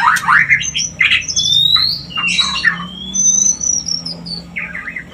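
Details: White-rumped shama singing to stimulate mating: rapid scratchy rising sweeps and chatter, then long smooth rising and steady whistles, with a soft low hum underneath.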